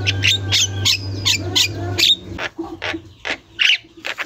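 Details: Javan myna singing loudly and without pause, on a recording meant for training other mynas. Harsh, broadband squawking bursts come every quarter to half second, with brief clear whistles in between, over a low steady hum.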